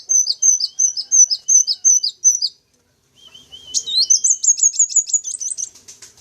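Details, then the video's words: Rapid series of short, high sunbird chirps, about three per second, with a thin lower whistle; after a brief pause a fast twittering trill follows. A lure to attract wild sunbirds. "Suara Pancingan Atau Pikat Burung Kolibri Wulung, Kaca, Jentit Langsung Respon"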